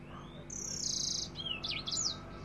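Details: African finch singing a lively song in the dense, rapid "nembak rapet" style, used as a tutor recording for other songbirds: a short buzzy high trill followed by quick looping whistled sweeps.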